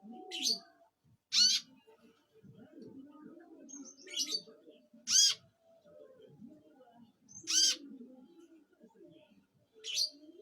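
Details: A Van Hasselt's sunbird (Leptocoma sperata), kept as a song tutor for magpie-robins for its distinctive sharp "shot" notes, gives short, very high, sharp chips and trills in bursts every couple of seconds over a low background murmur.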